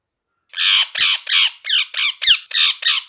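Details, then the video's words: Parrot giving a rapid series of eight harsh, raspy squawks, each short and broad-toned, repeated about three times per second with brief gaps, against a quiet background with no other sounds. "Parrot Chirping Sounds"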